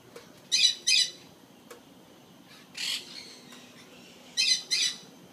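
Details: Golden conures at Jurong Bird Park give harsh, high screeching squawks, mostly in quick pairs, spaced a couple of seconds apart, over a quiet low hum.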